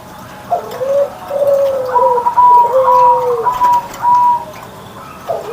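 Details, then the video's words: Zebra dove singing each morning in captivity: mellow low coos that arch down, followed by drawn higher notes and a final rising coo. "Perkutut Manggung Gacor Suara Besar"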